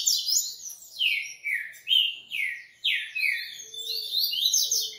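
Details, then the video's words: Coleiro song made of fast, descending slurred whistles and buzzy notes, delivered in quick repeated phrases at a high pitch, with a faint low tone near the end. "Coleiro Artilharia e REVELAÇÃO"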